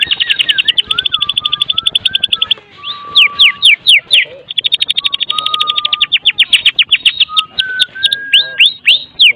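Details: White-rumped shama of the Medan type with a full song meant to prompt other shamas to sing: long fast trills alternating with bursts of sharp descending whistles and low pure whistled notes.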